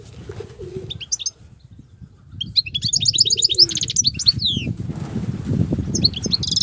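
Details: Wild European goldfinch in continuous song: short twittered bursts and a tight chattering, rising series of notes, set against steady low rumbling and rustling noise.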